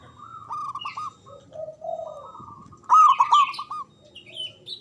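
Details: Local Javan zebra dove song, loud and long-breathed, used to prompt silent or stressed doves to call back: a series of soft pulsed coos ending in one stronger rolling phrase, with higher chirping from other birds.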